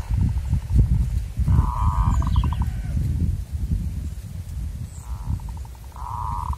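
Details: A local zebra dove from the wild, a bird sought by lure trappers, gives several bursts of rapid pulsed cooing, some drawn out and steady, others clipped, against loud low-pitched wind rumble.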